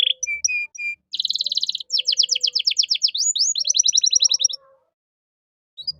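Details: Canary in lively 'gacor' song, 'cengkok mewah' style, recorded to tutor young songbirds; a few short high whistles, then a fast buzzy roll, a run of rapid falling chips and a clipped repeated trill before silence.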